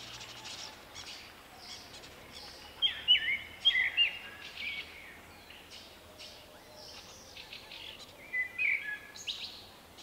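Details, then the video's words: Common blackbird male with an unusual personal song, recorded late March 2024: bursts of fluty whistles and high chirpy twitters around the middle and again near the end, over noisy background with other faint bird sounds. "Vuippi-Vu the Common Blackbird"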